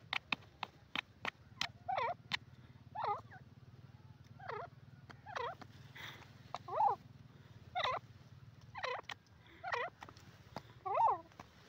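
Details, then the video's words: Teetar, the grey francolin, gives sharp clicking notes followed by a steady sequence of shrill, twisting, whistled calls about once a second. A low hum runs underneath throughout. "teetar voice teetar ki awaz,grey francolin sound"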